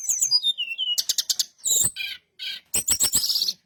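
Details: Brown-chested jungle flycatcher song used to lure other birds into answering: quick high chirps, a descending whistled slur, then bursts of sharp clicking notes and buzzy trills, with short pauses between phrases.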